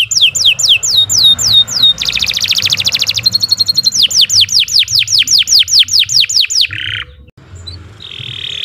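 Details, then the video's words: Canary singing a long master song for training caged birds, with rapid repeated downslurred whistles, a dense buzzy roll, a steady series of sweeping notes about three per second, then softer chirps near the end. "Kicau Burung Kenari 91 II GACOR PANJANG Cocok untuk Masteran"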